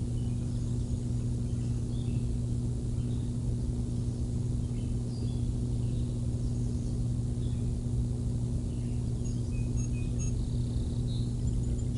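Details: A steady low hum and rumble fills the whole recording, with no clear animal voice.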